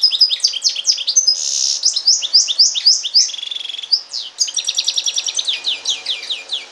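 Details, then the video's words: Song of a goldfinch crossed with a canary: hurried high twitters and sliding chirps, a short raspy buzz, then a long rolling trill of rapidly repeated notes, continuous and lively. "carduelis carduelis x canaria"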